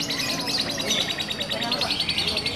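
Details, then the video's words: Lovebird hung at a bird-singing contest, giving the long rapid trill called ngekek: fast, evenly repeated high chirping pulses running through the clip, with voices and music in the background. "Lovebird ngekek panjang di gantangan"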